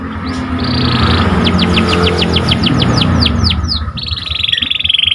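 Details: Canary of the panda colour type singing actively to excite listening birds: one buzzy roll, a quick series of a dozen downward-sweeping notes, then a long rattling buzz, with constant low hum underneath.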